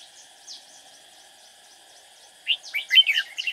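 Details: Lively, quick-singing red-whiskered bulbul decoy used in trapping to attract rival birds. After quiet background with faint repeated downslurred chirps, it launches a loud burst of jumbled, warbled notes near the end over a constant insect hum.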